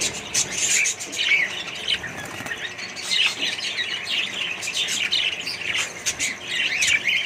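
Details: Australian budgerigars in a mixed bird colony give steady high-pitched twittering and scratchy chirps, many birds calling at once, with occasional soft wing flutters among the chatter.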